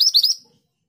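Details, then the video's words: Scarlet minivet giving the tail end of a rolling song: three quick upward-sweeping whistles, high and piercing, fading out into silence. "BURUNG MANTENAN GACOR ROLL PANJANG TERBAIK UNTUK MASTERAN"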